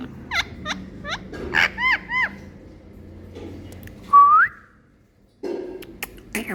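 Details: Indian parrot kept as a pet, showing affection to its owner: a run of five quick hooked squawks falling in pitch, then a pause, a single rising whistle, and a few brief noisy chirps near the end.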